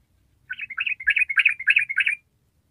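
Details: Yellow-vented bulbul gives a quick, bubbly phrase of about a dozen chuckling mid-pitched notes lasting under two seconds, over a quiet background. The recording is used as a lure to prompt other bulbuls to sing.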